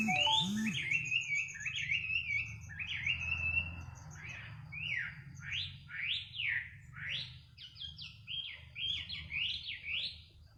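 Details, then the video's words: Bird singing at midnight, a lulling night song: rapid varied whistled phrases around the upper-middle register, rising and falling slurs repeated about twice a second, with a low steady hum underneath. "kicau burung di tengah malam"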